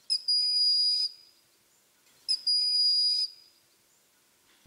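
Broad-winged Hawk giving two thin, very high whistles, each a short pip sliding into a long, steady note, about two seconds apart. Nothing else is heard.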